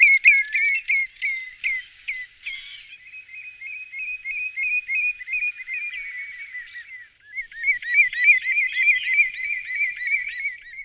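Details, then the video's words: Common redshank (Tringa totanus) calls used as a hunting lure: clear high whistled piping notes, a few separate downslurred whistles, then a long rapid run of short repeated notes, ending in a faster, louder yodelling series. No other sounds. "Chamariz, Señuelo, Perna Vermelha Comum, Tringa Totanus, Archibebe Comun"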